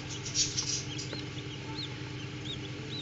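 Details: Common Quail chicks emerging from eggs in an incubator. A brief scuffle is followed by a series of high, bowed peeps spaced roughly every half second over a continuous low hum.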